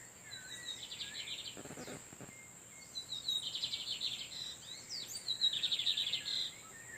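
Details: [8, 'Wild male lined seedeaters singing to one another while a female incubates nearby. Three separate fast phrases of high, buzzy, rapidly repeated notes come a couple of seconds apart, with a brief low rustle between the first two.']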